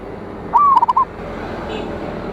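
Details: One clear phrase from a local zebra dove with a big voice, sung as a lure to call rivals: a short upward note, then a quick stammering series of four or five soft coos, over faint hiss.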